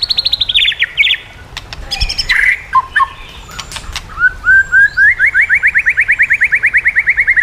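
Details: White-rumped shama song used to train shamas to sing. Opens with a high rapid trill and scattered sharp notes, then a long rising and falling series of quick upslurred whistles.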